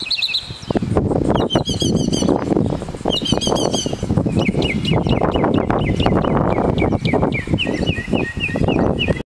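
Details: A northern mockingbird at Kitty Hawk, North Carolina, gives its aerial display song: bright, high phrases, each note or chirp repeated several times in quick runs before switching, over heavy wind rumble.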